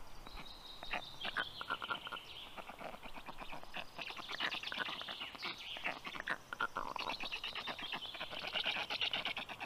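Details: Black stork female feeding her chicks at the nest at 10:37 a.m. on 18 June 2022; dense, rapid rattling and clicking pulses with a thin high whistled tone, calls tumbling over one another almost continuously.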